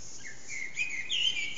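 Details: Eurasian blackbird in early morning near 4:30am, singing unseen in an echoing backyard, HTC Desire recording; a brief soft fluted phrase rising into a higher bright whistled note, with steady background hiss.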